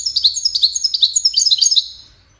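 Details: European goldfinch giving Widani song to teach young birds: an unbroken stream of bright, high, silvery twitters and trills, varied and rapid, lasting nearly two seconds before fading away.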